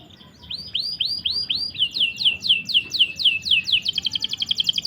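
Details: Canary tutor song, played to coax stuck or young canaries into singing: a series of repeated downward-swooping whistles speeding up into a rapid, even rattling trill.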